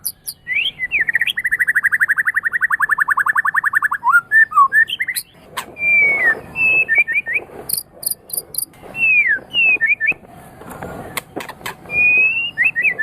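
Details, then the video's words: White-rumped shama song meant for training other singing birds: a long rapid buzzy trill of about two seconds, then clear whistled phrases, slurred notes and sharp clicks separated by brief pauses. "Ocehan Burung Murai Batu"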